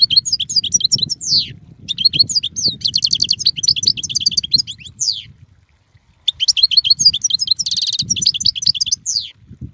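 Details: European goldfinch, Carduelis carduelis, delivering long phrases of fast tinkling twitters and nasal buzzes, broken by a silent gap of about one second before the twittering resumes.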